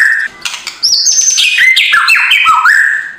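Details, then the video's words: White-rumped shama singing a morning lure to stir a reluctant bird, Indonesia: a few crackling clicks, then clear whistles stepping downward in a quick cascade and ending on a steady held note. "MURAI BATU LANGSUNG NGEGASS KRETEKAN K4SAR SUARA RAME || Memancing emosi murai batu malas bunyi"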